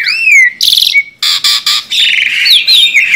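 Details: Tame, actively singing Asian pied starling gives a clear downslurred whistle, then harsh rasping bursts separated by short gaps, ending in bright twisting whistled notes over scratchy chatter.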